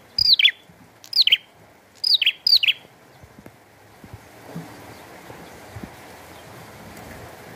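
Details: Bar-winged prinia singing vigorously with rain: four quick, falling chirped notes in the first three seconds, then only the growing hiss of rain.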